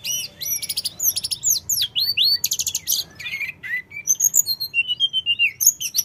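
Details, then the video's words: Constantly singing mountain sooty-headed bulbul, meant as a lure for raw bulbuls to reply: rapid high chattering and swooping whistles, a dense burst near three seconds, then quick repeated chirps and falling whistled phrases. "Suara tledekan gunung full gacor‼️100% bikin tledekan bahan cepat nyaut"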